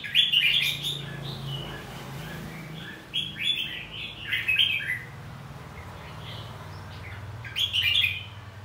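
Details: Red-whiskered bulbul singing its fighting song to stimulate rivals: a few chattering, warbled phrases in separate bursts, with a steady low droning hum underneath.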